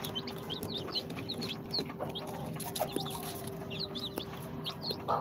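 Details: Incubator-hatched chicks of Sultan, Golden Sebright, Cochin and booted breeds, two days old. Scattered high, thin peeps in small bursts, fairly soft against a steady electrical hum and hiss.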